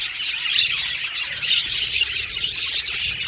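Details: Happy pet budgies of Australian origin chatter continuously in high, scratchy tones, with a sharp whistled squeak rising above the crowd.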